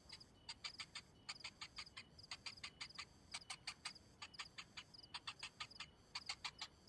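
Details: Cinnamon bittern nestling, hungry and waiting as the parent arrives without food, gives sharp ticking calls in clustered runs of three to six clicks, pausing briefly between bursts, over a faint steady background hiss.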